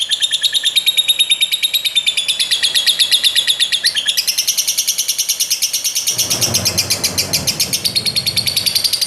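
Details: Lovebird singing a rapid, unbroken stream of high, scratchy chirps and buzzy twitters, with a brief low rumble of background noise partway through.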